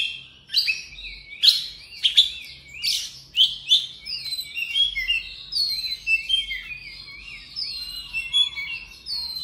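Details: Oriental magpie-robin in morning song: loud sharp chirped notes at first, then a long flowing series of wavering whistles and quick trills that grows softer toward the end.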